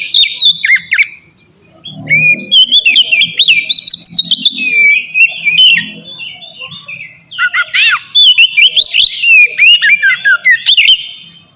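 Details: Oriental magpie-robin singing in the loud ngeplong style, used as a master recording to prompt other kacer to sing: rich whistled phrases, rising and falling sweeps and quick chirps in a fast, varied stream, with a brief pause near two seconds.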